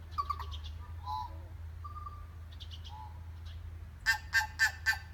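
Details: Tui at Rainbow Falls in Kerikeri, New Zealand, calling and answered by another tui in the distance. Clear whistled notes and short warbles are followed by a quick series of four loud, clipped broadband notes over a low steady rumble of falling water.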